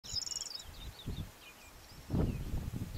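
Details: A Greater short-toed lark sings in Doñana National Park, Spain, in April 2011: a quick burst of high, dry chirps, then scattered thin twittering notes, over heavy gusting wind.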